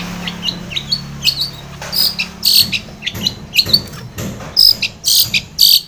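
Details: Long-tailed shrike in lively, persistent song, used as a lure to get a stressed, silent shrike to answer and sing. Short high chirps and harsh, scratchy bursts come about twice a second, with a faint low hum early on.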